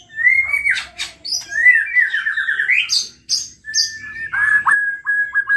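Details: A white-rumped shama song played to spur other shamas into singing: a clear sustained whistle, then a rippling trill that climbs to a high note, short high chirps, and finally a series of steady, evenly pitched whistled notes.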